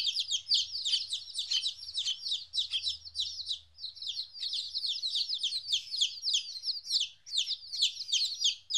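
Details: A group of 14-day-old chicken chicks, separated from their mother for the first time, fills the air with overlapping shrill, descending peeps, steady throughout, over a soft low rumble.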